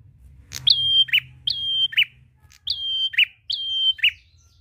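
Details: Prolific prinia song used to coax other birds into singing: five phrases in two groups, each a long level whistle sliding up at the start and finishing with a lower dropped note; quiet low hum beneath.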